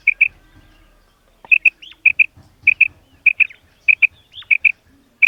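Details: Calling female common quail: about nine pairs of sharp, high, bell-like pips, each pair closely spaced, with a short silent gap near the start.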